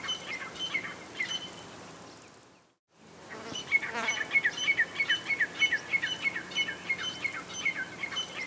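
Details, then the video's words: Female grey francolin calling: a quiet stretch, a brief silence, then a steady run of short, clear, high notes repeated about three times a second, each sharply pitched and evenly spaced. "Female Grey Francolin Sounds - Teetar Voice - Teetar Ki Awaz - Grey Francolin Sound - Female Teetar"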